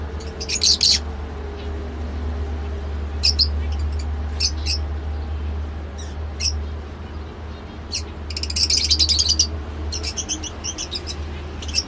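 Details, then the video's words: Sparse lovebird chirps: a sharp burst near the start, scattered single high notes, then a dense chattering cluster toward the end over a steady low hum. "love bird sounds"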